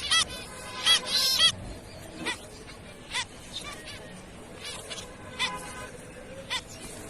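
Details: Zebra finch calls: a loud burst of rapid, nasal, harmonic-rich honks at the start, followed by spaced single toots roughly every second against a soft noisy background.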